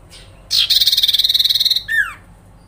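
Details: Sooty-headed bulbul rattle said to make other birds answer: a sharp buzzy trill of closely packed pulses for just over a second, ending in a single clear whistle sliding downward.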